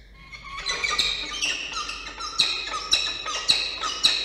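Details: Peregrine falcons at a nest in Orange, New South Wales, Australia, 31 August 2024, during a nest changeover as the male brings food and the female takes it and flies off; loud harsh repeated calls about every half second over high chirps.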